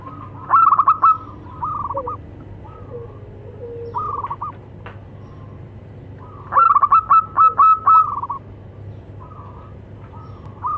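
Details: Local zebra doves, male and female, calling in exchange; two loud rapid runs of clipped cooing notes about six seconds apart, with quieter short coo phrases between them.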